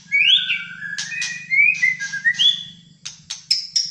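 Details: Malaysian white-rumped shama, kept in a cage, in full fighter song: long sliding whistles give way to rising slurs, then hard clicks and a high thin whistle near the end, with a low steady hum behind.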